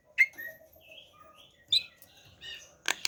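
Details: Javan pied starling kept at home, being coaxed to sing in the morning: scattered whistled and chirped notes, a sharp rising note near the start, a loud harsh burst late on, and a hum in the background.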